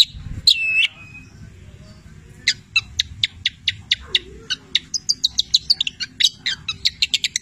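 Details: Continuous training song of a cendet (long-tailed shrike) mimicking labet and canary: a brief whistle, a pause, then a string of sharp high ticks speeding into squeaky chirps.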